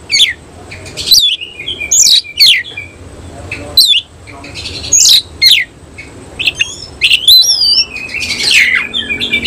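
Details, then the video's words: Oriental magpie-robin, semi-Cililin type, in tail-spread display song: repeated loud bursts of steep squeaky slurs and whistles roughly every second, rising warbled notes near the end, quiet faint hum beneath. "Kacer langsung NEMBAK NGOBRA BUKA EKOR"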